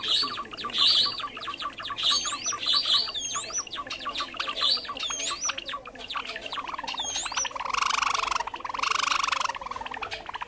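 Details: Java sparrow trapping lure call, species of rice fields and fields. Rapid chirping chatter with repeated looping high whistled notes, then two buzzy, harsh bursts near the end.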